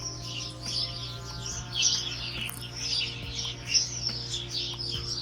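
A busy chorus of high, overlapping chirps and twitters from several birds, with a steady low hum and faint tonal drone underneath.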